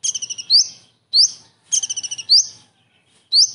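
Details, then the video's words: Common iora delivering kingfisher-imitation material with characteristic kingfisher 'shot' phrases, recorded as master song for other birds: rapid stuttered trills of high piercing notes alternating with loud rising whistled slurs, no other sounds. "KONIN ISTIMEWA ISIAN TENGKEK UDANG"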